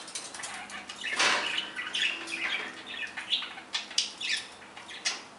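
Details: Pet budgerigars eating freshly washed, still-wet lettuce and bathing their feathers in it: scratchy chirps, squawks and twittering chatter, with rustling and wet flutters throughout.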